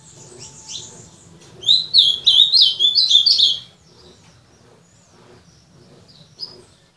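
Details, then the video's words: Soft high twitters lead into a two-second loud, quick warbling phrase from a kept azulão (ultramarine grosbeak), then quiet with faint chirps and a low steady hum. "Azulão TERRORISTA Destruindo"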